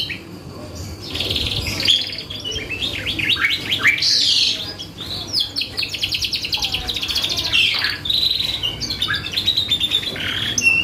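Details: Canary in full, vigorous song, used as a lure for other birds: quiet start, then rising sweeping notes and long stretches of fast, even trills at high pitch, continuing without break.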